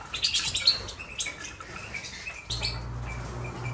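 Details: Caged goldfinch hybrids from canary and Himalayan greenfinch crosses, one of five birds, uttering sharp high chirps and twitters in the first second, then fainter notes over a steady low mechanical hum.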